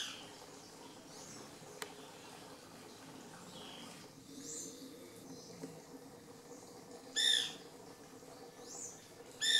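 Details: White woodpecker in the Lodge Garden at REGUA, 2016, giving two loud, harsh, rasping calls about two seconds apart near the end, over a steady low hum and faint thin chirps from other birds.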